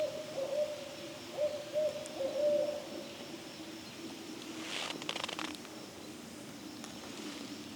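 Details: Adult barred owl hooting close to juveniles in evening woodland of a local park, at least three owls calling nearby; a series of low, even hoots in quick rhythm during the first three seconds, then rustling and faint background hum.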